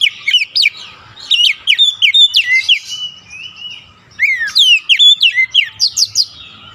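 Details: Oriental magpie-robin song played to stimulate a silent kept bird: rapid, busy whistled notes with sharp hooks and slurs, two dense phrases separated by a brief lull.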